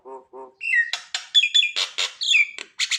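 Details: Nias hill myna singing to get mute mynas to answer: two low nasal notes, then loud rasping squawks and sharp whistled slurs in a fast sequence.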